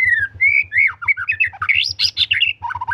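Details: White-rumped shama singing continuously: a fast flow of slurred whistles, rising and falling, ending in quick chattering notes, with a regular low thumping pulse beneath.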